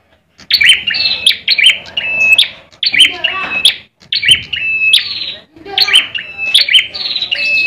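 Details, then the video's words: Caged Indonesian bar-winged prinia in fighting mode, singing continuously: dense, high chirping bursts that end in a level whistled note, in clusters with short gaps between them. "ciblek merah tarung"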